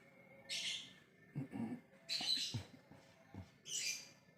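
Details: Lovebird ngekek, calling to other birds: three harsh screeches roughly 1.5 seconds apart, with low dull knocks and thumps heard between them.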